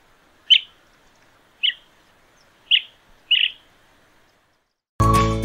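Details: Chestnut-headed (Bay-headed) Bee-eater, Sri Lanka, a bird of forest edges and clearings, gives four short, bright, slightly trilled chirps spaced about a second apart, followed by a burst of music.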